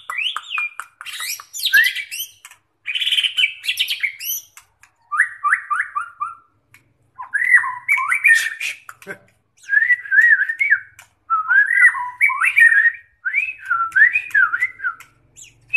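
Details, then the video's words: White-rumped shama in preparation for a song contest: varied phrases separated by short pauses, high chattering notes first, then repeated whistled slurs and warbled motifs. "MURAI BATU untuk persiapan kontes"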